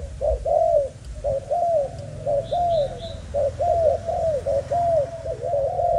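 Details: Malaysian spotted dove, a young male with a broken wing but full of energy, repeats mellow downslurred coos in quick pairs and groups, with a few thin high chirps from other birds in the background.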